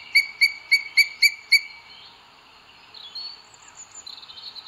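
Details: Booted eagle at a nest in Sierra de Guadarrama, Spain, June 2022, filmed by a live nest camera while the male delivers food to the female. Six sharp whistled notes come in quick succession, then faint, thin chirps trail off.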